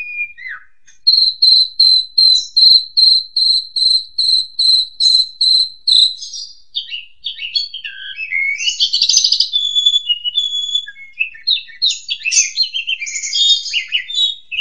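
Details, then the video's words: Asian pied starling master song for training young birds opens with a short falling whistle, then about a dozen evenly spaced piping notes, before breaking into a long, lively medley of squeaky, twittering and whistled phrases. "JALAK SUREN KUALITAS TERJAMIN!!! PANCINGLAH JUNIOR ANDA PAKAI MASTERAN INI"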